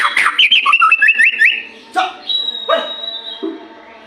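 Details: White-rumped shama, recorded as a lure for other shamas in the morning and evening, singing a rapid string of bouncy, upslurred whistled notes, followed by a few harsh calls and a steady high tone.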